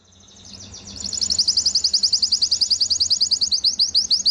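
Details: Belgian canary song: high rolling trill rising out of low background hum, fast evenly pulsed notes repeated several times a second for over three seconds.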